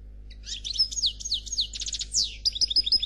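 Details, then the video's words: European goldfinch of the black Khalwi type in flawless song: a continuous chain of high sliding chirps and short buzzy rolls, finishing with evenly repeated downslurred tweets. "Chardonneret Noir Khalwi Chant sans fautes"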